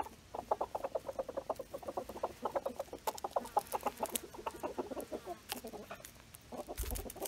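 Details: A rooster calls the other chickens over to see a haul of juicy beetles and bugs. A long run of rapid clucks rises and falls in intensity, then thins out, with faint rustling near the end.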